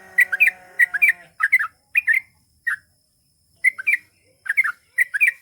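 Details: Sooty-headed bulbul in gacor song, long ropel style: bursts of slurred chirping phrases at irregular intervals, opening over a fading humming background.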